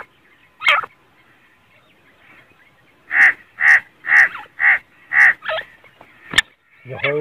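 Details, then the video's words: Kept grey francolin in Pakistan calling in a harsh, grating series: six loud, evenly spaced notes about half a second apart. Isolated sharp clicks and rougher notes come before and after the series. "Teetar ki boli | teetar voice | Gray francolin | teetar ki awaz"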